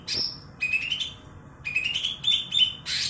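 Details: Piercingly loud Greater green leafbird of the kebo type, once a contest bird, delivers a harsh burst then two runs of climbing whistled notes separated by a brief pause, ending in a rasping burst.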